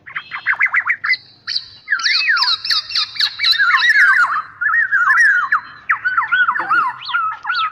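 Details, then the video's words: Black-naped oriole, known as golden or Javan oriole, in a lure and training recording for trapping. Fluid whistled notes come in quick bursts, then a run of rolling, looping phrases that dip and rise. "suara pikat dan masteran burung kepodang emas"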